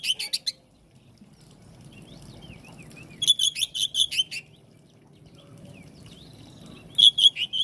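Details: Oriental magpie-robin, a kacer meant to prompt other kacer to answer, giving brief bursts of quick, sharp repeated notes with soft thin whistles between them over a quiet low hum.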